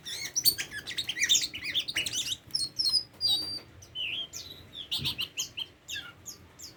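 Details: Tame Oriental magpie-robin singing a rich, varied song of sweet whistles, slurred rising and falling notes and quick chirps, delivered in short phrases with brief pauses; no other clear sounds.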